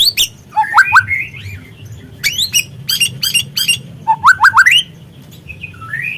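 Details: Speckled young White-rumped shama sung as a lure to excite other shamas: clusters of sharp rising chips and short upslurred whistles in bursts, separated by pauses, with a low hum beneath.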